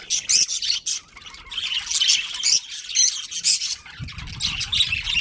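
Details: Colony of budgerigars including a breeding pair: dense bursts of harsh, high chirps and squawky chatter, dropping briefly quieter around the second second, with a soft low rumble near the end.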